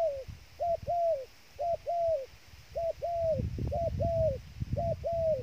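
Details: Dove kept as trapping bait gives a two-part coo, a short note then a longer falling note, repeated roughly once a second at mid pitch, over low rumbling and rustling noise.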